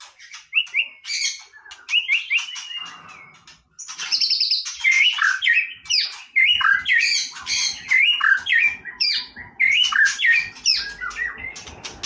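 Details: Long, varied song of a white-rumped shama singing for play: quick whistled phrases, sharp chirps and slurred notes strung together almost without pause, with a short lull partway through.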